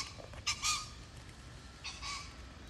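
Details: Pheasant among wild birds, recorded 25 October 2024: two short, harsh, broadband squawking bursts about 1.4 seconds apart, with steady faint background hiss.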